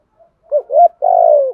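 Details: Morning decoy spotted dove calling to lure wild birds; a single brief phrase of two short low coos and one longer descending hollow coo.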